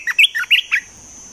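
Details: Brief phrase from a caged Olive-winged bulbul used as a trapping decoy: four or five loud, bright, slurred whistled chirps in quick succession, then silence.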